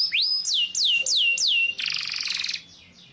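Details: Yellow canary: one rising whistle, four loud falling whistled notes, then a dense buzzing trill that gradually fades away.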